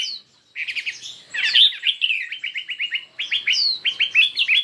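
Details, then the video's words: Chinese hwamei in a fiery singing duel with many voices: fast trains of short clipped whistles repeated in quick series, broken by downslurred high notes, loud and nearly unbroken. "Noog Coob Quaj Zoo Cuab II Hoạ Mi Hót Đấu Nhiều Giọng"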